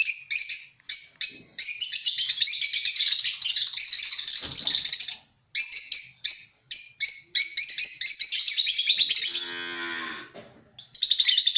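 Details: Colony of African lovebirds keeping up dense, continuous high-pitched chattering and screeching, several birds overlapping, with a brief pause near the middle and a lower rasping note toward the end.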